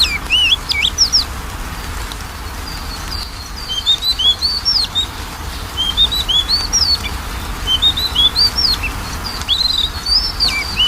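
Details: Lure song of a Magpie-robin for a lazy singer: an extended, steady stream of high whistled and chirping notes with rising slurs and quick twitters, phrases running almost without break.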